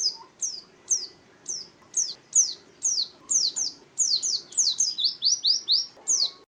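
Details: Oriental white-eye song meant to stir other birds and serve as a model for learning songs: high, thin down-slurred notes, first spaced about half a second apart, then speeding into a quick twittering run.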